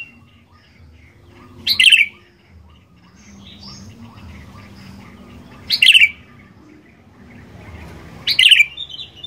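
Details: Sooty-headed bulbul singing steadily in 'gacor' form, meant as a lure to make other bulbuls sing: three short, bright, bubbly phrases spaced about every three to four seconds, with quiet background hiss between.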